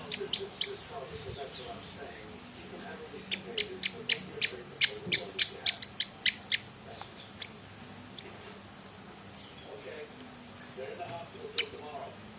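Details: Hume's white-eye with a hoarse voice and cough, kept as a cage bird and being treated, giving sharp, dry, clicking coughs, several a second in uneven bursts, over a man's low talking voice.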